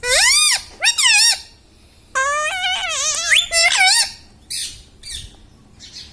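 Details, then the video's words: Pet talking parrot calling out words like "Mummy" and "Papa": loud, richly harmonic syllables with swooping pitch, a long wavering phrase in the middle, then softer breathy sounds trailing off. "Mittu Bolne Wala Tota || Talking Parrot || Mummy Mummy"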